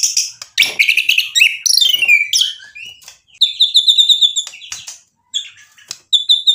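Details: White-rumped shama in full vigorous song packed with mimicked phrases, meant to provoke other birds into answering: rapid varied chirps and sweeping high whistles, then a run of clear repeated ringing notes, with brief pauses.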